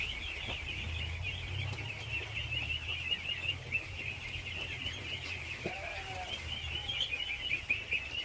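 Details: Masses of baby ducks being fed keep up a thin, high, continuous peeping; a brief faint rising tonal note stands out near the middle, over a soft low hum.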